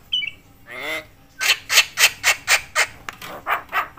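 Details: Javan myna (jalak kebo), a chatty caller said to provoke other mynas: a brief whistle and a wavering croak, followed by about ten loud harsh rasping notes in steady rhythm.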